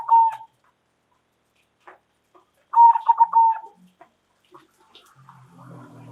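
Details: Local zebra dove calling loudly so that others respond: a short coo, a pause, then a fuller phrase of rapid throbbing notes trailing into a falling coo; a low hum rises near the end.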